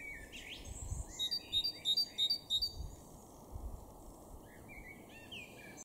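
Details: Great tit in a garden in Norden, East Frisia, northwest Germany, in April 2023, sings a quick run of about five bright, high, evenly paced two-note 'tea-cher' phrases, with other birds chirping and a steady hum.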